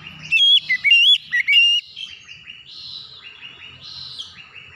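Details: Oriental magpie-robin lure song meant to prompt hesitant birds into singing: strong whistled notes sweeping up and down in quick bursts, followed by softer, repeated chirping phrases in the background.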